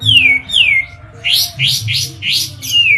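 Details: Caged white-eye from Medan in full song, with two clear downslurred whistles, then a run of five quick buzzy rising chirps, ending on another falling whistle; a faint low hum runs underneath.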